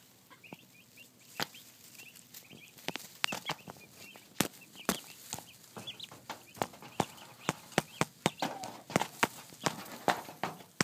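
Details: Young turkeys peeping in brief high notes, scattered over steady clicking and tapping that grows busier toward the end.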